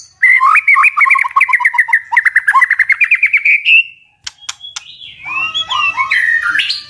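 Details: White-rumped shama singing to provoke birds into fighting: a fast series of loud rising and falling whistled notes about twenty in under four seconds, brief sharp clicks, then varied fluty whistles and slurred phrases.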